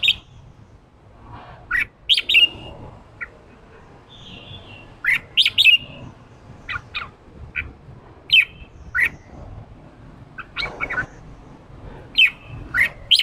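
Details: Red-whiskered bulbul, a fired-up male used to draw a newly caught wild bird into 'ché' singing. Short bright whistled and chattering phrases come in bursts every few seconds over a low steady background hum.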